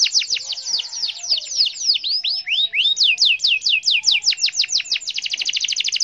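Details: Singing canary, gacor style, meant to spur a quiet canary into song: a steady run of sharp high slurred notes with a few lower swooping phrases, ending in a very fast buzzing roll.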